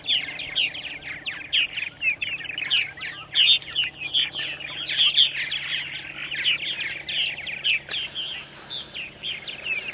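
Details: Purple martins at Center Moriches, Long Island, New York, on the morning of April 14, 2012, around 8:30 AM; dense, overlapping chirps and gurgling chatter from several birds, continuous throughout, over a faint steady low hum.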